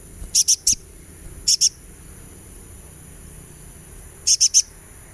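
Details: Therapy recording of a sunbird meant to get birds singing: short bursts of two or three very high, piercing chips, separated by long pauses, with faint low background hum.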